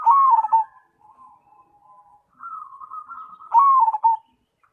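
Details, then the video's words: Zebra dove of the Cemani type, singing briskly. A loud trilled coo falls in pitch, softer level humming notes follow, then the loud stuttering coo returns at the end. "Perkutut Cemani Gacor"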